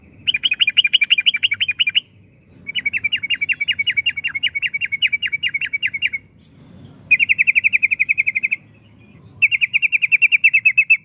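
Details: Yellow-vented bulbul (trucukan) delivering 'ropel panjang' song, long rapid trills of uniform clipped notes in four bursts separated by short pauses, each burst steady and evenly paced, a faint low rumble behind.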